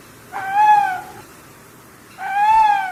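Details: Owl giving two drawn-out, tonal, harmonic-rich calls, each lasting nearly a second, rising slightly then holding steady, separated by about a second of quiet.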